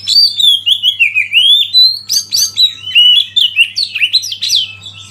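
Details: Oriental magpie-robin song for tutoring caged birds, set against river flow and wild birds: continuous rich warbling of fast whistled notes, slurs and chattery bursts, loud throughout with a steady low hum beneath.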